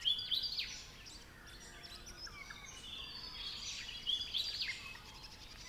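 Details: Regent Honeyeater in temperate woodland of the Capertee Valley, NSW, Australia, giving soft, chuckling bursts of quick, high chattering notes in two bouts, with faint calls from other birds in the background.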